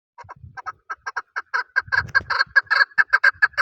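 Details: Male chukar partridge calling, a recording used for hunting: a run of sharp clucking notes that starts sparse and quickens into a dense, loud, steady chatter, with some low rumbling noise in the background.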